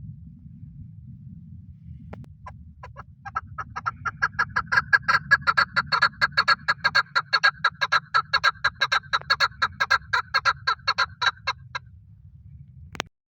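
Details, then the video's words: Hunting call of a male chukar partridge: after a few scattered clucks the notes build into a long, rapid, rhythmic chuk-chuk series lasting about nine seconds, over a constant low hum, before stopping suddenly. "Paritrighe best sound for hunting | chakor voice"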